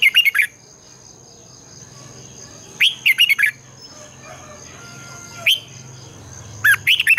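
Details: Red-whiskered bulbul in morning competitive song, long twisting double voice: short, loud warbled phrases of three to five fluty notes roughly every two to three seconds, with a constant high-pitched hum and faint background birds.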